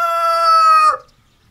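A rooster's crow, caught at its end: one loud, drawn-out, strained note held for nearly a second, then cut off with a short dip in pitch.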